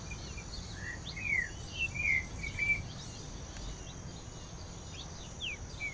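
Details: Green-winged saltator (Saltator similis) singing, stimulated by a rufous-bellied thrush's song, gives short, clear whistled phrases of slurred rising and falling notes in bursts, over a steady high insect drone and low rumble.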